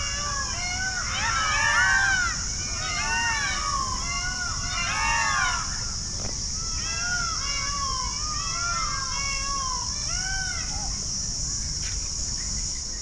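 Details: Many Indian peafowl roaming free in an open garden enclosure at Pipli zoo, Haryana, call over one another with loud, nasal, rising-and-falling wails in quick overlapping bursts over a steady high insect-like hiss.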